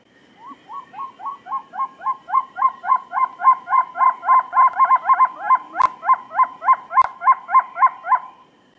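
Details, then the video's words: Trogon, a colourful long-tailed bird of tropical forest in South and Central America, giving a long, steady series of short, hollow, evenly spaced notes, about three or four per second, swelling louder then easing off; two sharp clicks. "THE BEST TROGON SOUNDS COMPILATION"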